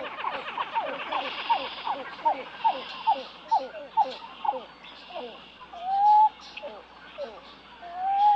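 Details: Pied-billed Grebe giving a long series of short, hollow notes repeated about every half second that gradually spread out, ending in two drawn-out, clear whistled notes.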